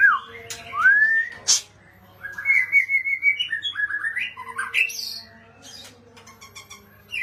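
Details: Oriental magpie-robin song: sweet rising and falling whistles, a sustained warbling phrase in the middle, a sharp high note, and quieter chattering toward the end over a faint steady hum.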